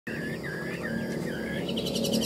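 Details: Tame caged Chinese hwamei singing in the ngũ trường style, described as a good fighter: looping whistled phrases that rise and fall, then a faster run of higher notes, over steady low background hum.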